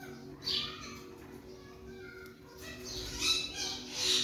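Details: Pet Alexandrine parakeet, also called a ringneck parrot, practising talking; harsh high squawks and screechy bursts recur irregularly, strongest near the start and toward the end, over faint background hum.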